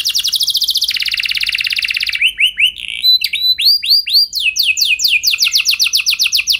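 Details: Canary singing as a lure to spur other canaries into long rolling song: a fast buzzy trill first, then upward-curving whistled notes, then rapid descending sweeps repeated in quick succession.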